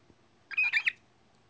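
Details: Pet bird that lapsed into chicken-like noises after trying to sing the Imperial March, giving a brief harsh squawk of two or three rough bursts in a quiet room.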